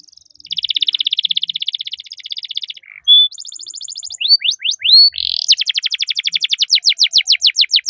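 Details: Singing canary, described as long-rolling 'cuit cuit' song for tutoring young birds: a long buzzy trill, a brief pure whistle, quick upward-sweeping chirps, then a steady fast series of rising notes repeated several times per second.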